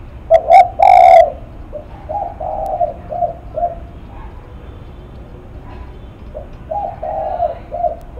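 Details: Spotted dove cooing in the lắc mặt song style: a couple of loud, sharp opening notes, then soft, low, hollow coos in short runs, a pause, and another run of coos over background rumble.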